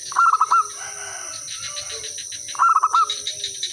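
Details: Zebra dove, a local bird singing to lure others into answering: two bursts of five or six fast bubbling coo notes, softer distant cooing between, and a continuous high insect hum.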